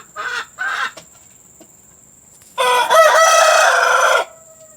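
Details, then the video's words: Chickens recorded for playing to hens ready to lay: two short harmonic clucks, a pause, then a long loud rooster crow lasting over a second. "Suara pemikat ayam betina agar mau bertelur"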